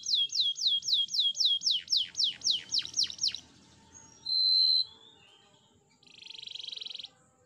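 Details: Canary training song: a series of repeated downward-sweeping notes about three per second, then a brief bright whistle and a soft buzzing roll after a short gap.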